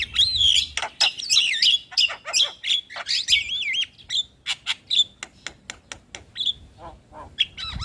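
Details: Lively Javan myna (jalak kebo) song, used to spur a lazy bird into song: warbling, wavering whistles mixed with harsh notes, then a string of sharp clicks and short squeaks.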